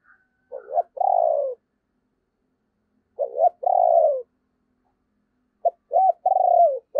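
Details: Decoy spotted dove cooing to provoke other doves to answer: three low, hollow phrases about two and a half seconds apart, each a short clipped note or two followed by a longer, throaty, slightly falling coo, with silence between.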